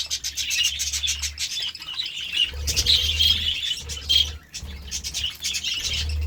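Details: Excited budgerigars at a vegetable meal: bright warbled chirps and a few clear whistled notes over busy chatter, with wing flutters and low thumps in between.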